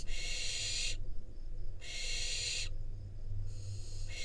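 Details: In Israel a wild barn owl fledgling receives a rodent from its parents and then eats it; drawn-out raspy hisses about a second long alternate with short pauses over a steady low hum.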